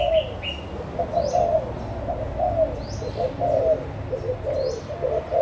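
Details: Adult spotted doves, Malaysian and Thai birds, 16 March 2022, give soft, throaty coos in a continuous rolling series, with faint high chirps of other birds and a low background rumble.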